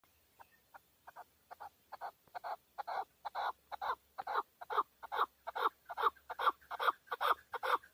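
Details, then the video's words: Male chukar partridge in Tajikistan, recorded in 2020: a rhythmic series of clucking chuk notes, about two or three per second, starting faint and swelling steadily louder through the sequence. "Нар Кабки Шикори (Садои кабки Шикори) 2020. Каменная Куропатка (Кеклик) в Таджикистане 2020. KEKLIK"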